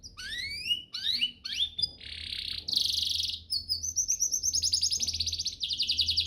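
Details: Canary master song used to train canaries: rising whistled slurs, a harsh buzzy burst, then long rapid rolling trills at high pitch.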